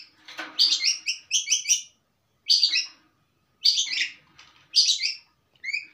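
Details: Long-tailed shrike in steady, settled song with much varied material: harsh, buzzy high bursts of stacked notes in quick runs, separated by short pauses, repeated roughly once a second.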